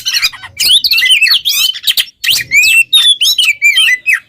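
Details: Oriental magpie-robin, a caged songbird, giving a fast training song of looping whistles and scratchy notes, ending with clear, drawn-out whistled slurs after a brief pause.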